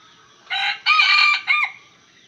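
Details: Red junglefowl rooster used as a decoy, crowing to lure wild roosters: one loud four-part crow, a short opening note, a long harsh middle phrase and a falling final syllable, over a quiet background.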